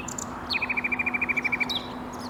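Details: Common nightingale song recorded in Bursa, Turkey, on 14 April 2021: a sharp upslurred note, then about fourteen loud, identical staccato notes in just over a second, ending with a high flourish, over a faint hum.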